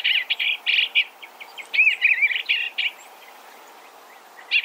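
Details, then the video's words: Song of an Eastern Bluebird: a rapid string of short, rough chirps and soft warbled slurs lasting nearly three seconds, followed by near silence before a final burst of notes. "Eastern Bluebird Bird Sound, Bird Song, Bird Call"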